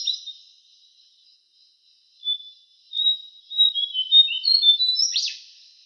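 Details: Javan cochoa song from a training recording for cage songbirds: faint high whistles, then a quickening series of thin whistled notes that slide downward, ending in a sharp harsh note.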